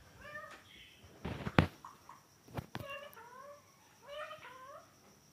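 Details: Domestic ringneck parrot talking indoors, producing short speech-like phrases of harmonic, nasal syllables with gliding pitch in three bursts, separated by sharp clicks and knocks near the middle.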